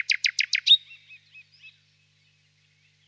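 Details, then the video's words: Nightingale phrase opening with five loud broad notes in quick succession, ending in a sharp whistle, then fading soft chirps and a long silence. "пение соловья"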